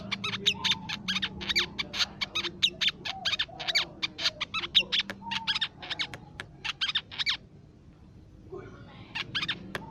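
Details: Crimson sunbird lure song for attracting songbirds: fast runs of sharp, high, clipped notes packed closely together, pausing briefly near the end before a few more notes, with faint lower background tones.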